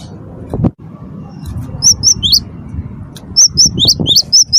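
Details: Lively cinereous tit of the wingko form, its song played to coax other birds to sing: two rapid phrases of piercing high notes mixing level and swooping shapes, separated by a pause, with low thuds and rumble underneath.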